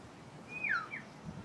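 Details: One of a few Pied Currawongs at coastal Wellington Point Reserve east of Brisbane, Queensland, on a clear day gives a single rich, melodic whistled phrase in the background, sweeping down then lifting briefly, against a soft outdoor hiss.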